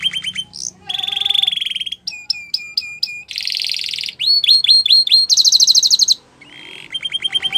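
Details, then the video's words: Belgian canary singing a varied song: rapid clear-whistled trills, a buzzy rolled passage, swift falling slurred notes repeated in quick series, and a bright high rattle, with short pauses between phrases. "Belgian Canary Singing"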